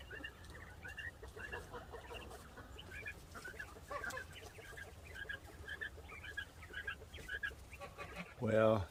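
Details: Quail kept in a pen, just given fresh bedding and scratching around, utter a steady series of small high chirps throughout, with a brief louder, lower harsh sound right at the end.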